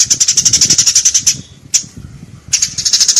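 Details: Eurasian tree sparrow, recorded for pet bird tutoring, giving a fast rattling train of high chirps at about four per second, a single note, then a fresh burst.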